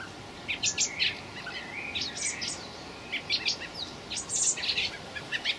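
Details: Blackbird fledglings begging, recorded 26 May 2018, with irregular bursts of high squeaky chirps and a few lower sliding notes, repeated in clusters across several seconds.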